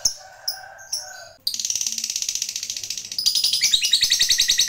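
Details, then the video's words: Lovebird in a long chattering song used to provoke rival birds: after a few separate sharp chirps, a fast continuous run of harsh, high chattering notes begins and grows louder and denser near the end. "Suara Lovebird ini Paling Bagus Buat Pancingan Lawan EMOSI Ngekek Panjang"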